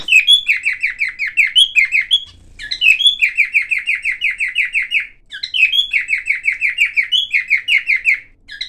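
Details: Pet cockatiel, silver colour form, sings several phrases of rapid, rhythmic chirps about three per second, each phrase opened by a higher whistle, separated by short gaps and a low brief rumble.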